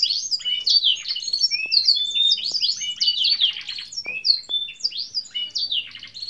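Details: Pet canary in strong form giving a long song: a fast, unbroken stream of varied high twittering notes, slurred whistles and short buzzy phrases, rich and jumbled throughout.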